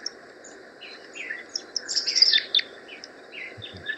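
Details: Red Crossbills give short, sharp kip-like flight calls in quick, irregular bursts. Other species call on top over a steady background hum, possibly including an Evening Grosbeak call near the end.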